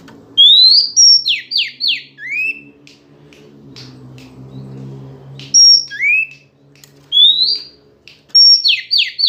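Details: Female white-rumped shama singing to provoke males into reacting: clear whistled upslurred notes and quick descending buzzy strokes in two bursts, separated by a quiet stretch with low humming background.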